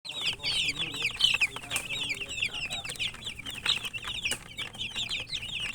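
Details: Chicks of domestic chicken chirping while eating; a dense chorus of many high, short, downward-sliding peeps overlapping almost continuously, with soft pecking and scratching noises underneath.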